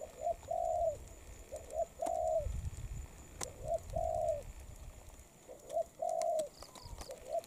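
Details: Spotted dove in moult cooing steadily, each phrase a quick short note and a longer even coo, repeated about every two seconds, with low rumbling noise between phrases.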